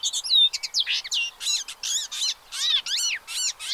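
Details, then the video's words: Recorded at the Séné reserve in France's Gulf of Morbihan on 30 April 2023, pied avocets with chicks give ringing, arched calls in loud bursts, roughly one to two per second. "AVOCETTE Élégante/Poussins 2023 ! BRUITX"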